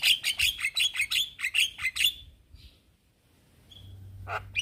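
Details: Male Javan myna calling young companions: a run of about twelve rapid harsh chattering notes with clicks and brief whistles over two seconds, then a pause and a few scattered notes.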